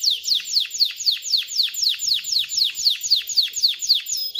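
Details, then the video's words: Male canary singing to teach chicks to sing and prepare females for mating: a fast run of descending swept notes, about four per second, high and bright, steady rhythm. "تغريد طائر كناري خرافي لتعليم الفراخ على الغناء والاناث على التزاوج، Canary singing"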